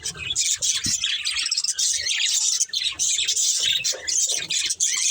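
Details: Chirping from a breeding pair of budgerigars: continuous busy twittering, raspy and squeaky, with rapid chattering notes overlapping throughout and occasional faint low bumps underneath.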